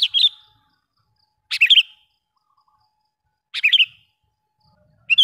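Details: Sooty-headed bulbul lure call, used to draw in wild bulbuls: short bubbly chattering bursts of a few quick notes, repeated about every two seconds with silence between, no other sounds.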